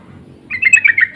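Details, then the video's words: Insistent lure call of a sooty-headed bulbul among birds answering each other: after a short silence comes one fast run of about six scratchy, chattering notes. "Pancingan dan panggilan burung trucuk saling bersahutan❗suara ngotot"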